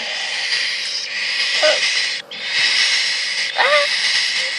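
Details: Baby cockatiels, about two to two and a half weeks old, give a steady breathy hiss broken by a couple of brief rising squeaks, with their mother nearby turning aggressive.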